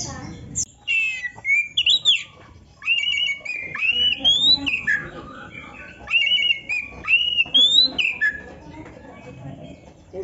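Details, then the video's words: Oriental magpie-robin song used for training songbirds: a varied run of loud clear whistles, slurred rising and falling notes and quick chattering phrases, delivered in bursts with short pauses, over a faint low background rumble. "Suara Burung Kacer yang cocok untuk Latihan kicau"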